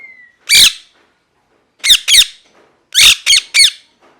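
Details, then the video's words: A parrot utters loud, harsh squawks: one alone, then a pair, then a trio, with short silences between groups. "Parrot Chirping Sounds | Natural Parrot Sounds | Parrot Calling Sounds"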